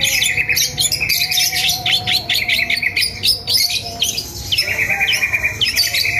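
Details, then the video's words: Kept long-tailed shrike outdoors in the morning pours out a lively, rapid run of chirps and harsh scratchy notes, densely packed over a sustained high tone, with faint low background noise. "Cendet keluar pagi pagi agar sehat dan gacor"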